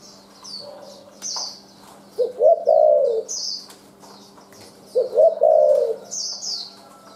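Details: Wild-caught spotted dove calling in a style with dense, quick 'lèo' notes and sparse 'chu' notes: two low, hoarse multi-note coo phrases about three seconds apart, with thin high chirps of other small birds throughout.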